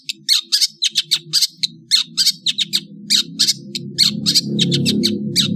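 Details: Melodious Indonesian long-tailed bird in afternoon song, delivering rapid sharp high chips and scratchy notes in quick succession over a low rumbling background hum that swells toward the end.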